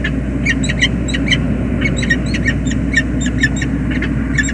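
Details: Peregrine falcons greeting at a nest on the James River Bridge, USA, 20 February 2022. Uneven bursts of raspy squealing notes come over a noticeable low droning background.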